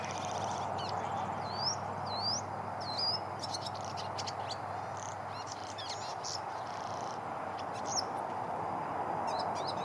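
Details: A Welcome swallow singing, recorded 21 September 2014, twitters in quick, high chirps and upswept squeaks, irregular and scattered, over a steady low rushing background noise.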